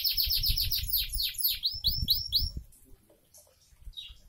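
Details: Canary sings a fast sequence of sharp high downslurred notes over a low rumble, slowing into clearer separate notes before fading to near silence.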